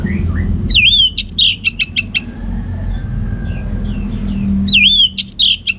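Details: Singing orange-headed thrush kept in northern Bali, Singaraja, giving looping whistled notes followed by quick clipped chips, a pause, then the same whistled loop again over a steady low hum.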